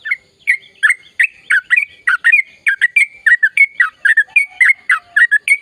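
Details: Rolling bulbul song in the long gacor ropel style, a yellow-vented bulbul pouring out rapid, gurgling, whistled notes without a break.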